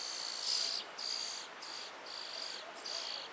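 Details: European starling young in a tree hole, begging while the parent feeds them; five or six loud, buzzy, grating bursts about half a second apart, each with a high hissing edge, against low background hiss.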